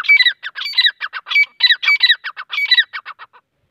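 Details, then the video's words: Teeter, or grey francolin, producing a rapid run of harsh, squawking phrases with sharp whistled peaks, repeated several times per second before trailing off into softer notes, with no other sounds. "Teeter voice Grey francolin voice Teeter partridge Teeter sound Teeter ki Kasai Teeter ki awaj"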